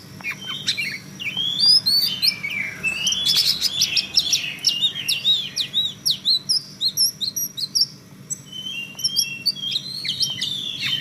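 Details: Female Oriental magpie-robin giving cretekan, a chattering call: a dense, fast run of high whistled and buzzy notes, sharp upslurs and downslurs packed together, with rapid stuttering bursts near the end and a low steady hum underneath.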